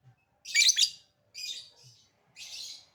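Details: Lovebird calling as a lure to provoke other lovebirds to respond: three harsh, raspy bursts about a second apart, the first loudest and richest, the later two softer and buzzier.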